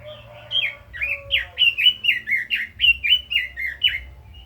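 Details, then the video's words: Red-billed leiothrix, a caged bird, in sustained song: a steady string of about a dozen bright whistled notes, each slurring downward, at roughly two per second. "Chim Quế Lâm kích giọng hay, căng lửa - Burung Robin Gacor | Chim Kim Oanh Mỏ Đỏ"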